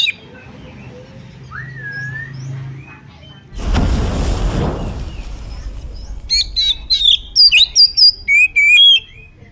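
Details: Oriental magpie-robin song used as a lure to provoke another bird into fighting. Faint notes and a rising whistle, then a loud rushing burst of noise, followed by a quick series of sharp, high, varied whistled notes.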